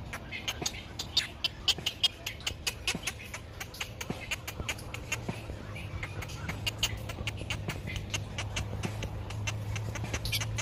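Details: Great egret chicks in a nest in sunshine, waiting for food from a parent, beg with rapid, dry clicking ticks, several each second and uneven in pace, over a steady low hum.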